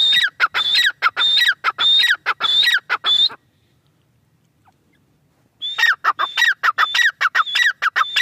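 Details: Grey francolin gives loud, harsh, piercing phrases in fast succession, each a high whistle dropping into squealing notes. A silent gap of about two seconds follows, then an equally vigorous burst of repeated phrases.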